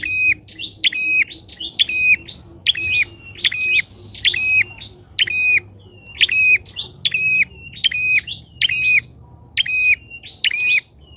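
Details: Bar-winged prinia lure bird calling so loudly that wild prinias dare not approach: rapid run of sharp high chirps with whistled tails, repeated about twice a second, steady and insistent throughout.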